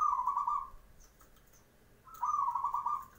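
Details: Zebra dove morning song used to make other doves reply: two bubbling, rapidly pulsed coo phrases, each under a second long, separated by a quiet gap of over a second.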